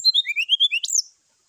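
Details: Brown-chested Jungle Flycatcher in the morning, fighting call aimed at stirring up rivals: quick series of about eight pure whistled notes gliding downward and then rising, ending in a sharp upward-swept high note.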